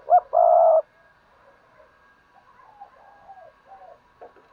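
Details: Spotted dove used as a decoy to make other doves coo: one short low coo followed at once by a long, steady, hollow croo, then faint soft background chatter.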